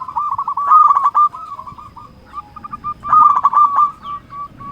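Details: Local zebra dove singing to provoke rival doves into answering: two loud bursts of rapid, stuttering coos separated by a quieter stretch of soft, spaced single coos.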